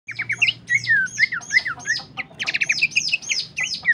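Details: Horsfield's babbler in a typical song recording used as masteran and pancingan to train and lure songbirds. Quick series of slurred whistled and squawky notes, dipping and rising, with a steady low hum underneath.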